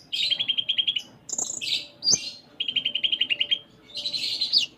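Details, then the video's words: Kolibri ninja (konin) pouring out gacor song: fast rattling trills of high notes broken by short whistles and buzzy chirps. "Konin Gacor Full Isian"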